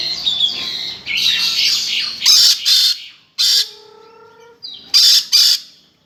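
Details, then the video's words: Lory screaming harshly, said to sound like a kuntilanak ghost: a long noisy screech, then paired and single loud grating squawks with short silences between them. "Suara burung nuri kaya kunti"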